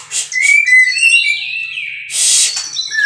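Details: Captive-bred white-rumped shama giving bright, sliding whistles mixed with short hissing bursts over a few seconds.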